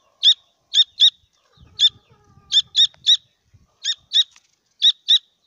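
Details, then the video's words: Young grey francolins peep in clear, shrill chirps, mostly in pairs and threes spaced about half a second apart, with soft rustling underneath. "teetar ke bacche ki awaaz"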